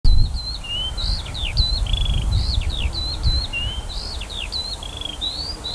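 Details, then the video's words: Eurasian skylark singing above a barley field in summer, 28 June 2018: a continuous high warbling stream of slurred whistles, quick trills and buzzy notes, with low rumbling wind noise beneath. "Skylark song above a barley field"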